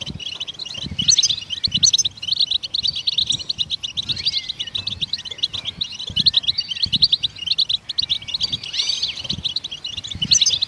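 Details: Goldfinches singing, said to spur other songbirds into song. Long stretches of fast, high twittering and jingling chirps are broken by short gaps and occasional slurred whistles, with faint low knocks in the background.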